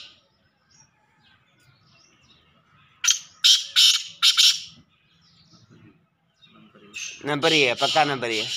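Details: Male black francolin: four loud, grating, buzzy notes in a quick run. Near the end a different, lower, tonal sound with stacked harmonics overlaps the calling.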